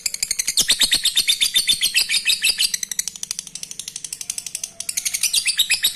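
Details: Lovebird song used to stimulate breeding: a fast, continuous chatter of high, harsh chirps, about four per second, with a short break near the middle before the rapid twittering resumes.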